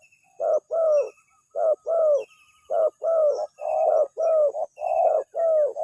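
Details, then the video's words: Spotted dove lure call with a quick answer; repeated hollow coo pairs, a clipped note then a longer falling one, coming faster toward the end, faint high twitters behind. "suaranya langsung direspon, pikat burung tekukur"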